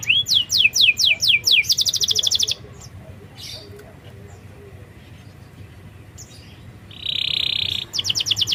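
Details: Canary song from a lure recording for lazy or young birds: a run of falling whistles and a quick trill, a quiet pause, then a buzzy held note and another trill near the end.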